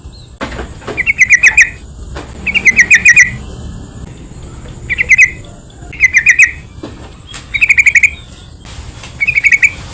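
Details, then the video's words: Yellow-vented bulbul singing as a provoking lure for other bulbuls: six bright bubbly chattering phrases, each a fast run of warbled notes, delivered at irregular intervals of one to two seconds with a faint background hiss. "PANCINGAN BURUNG TRUCUKAN , SEMUA TRUCUK PASTI IKUT BUNYI"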